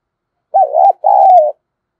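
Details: Single coo from a lure spotted dove used to excite wild birds: a wavering note rising and dipping, a short gap, then a longer steady coo.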